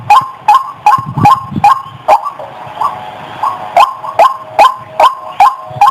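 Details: White-breasted waterhen (ruak-ruak) lure call used by trappers to attract the birds: loud abrupt croaking notes repeated roughly every half second in two series, separated by a short gap with background hiss.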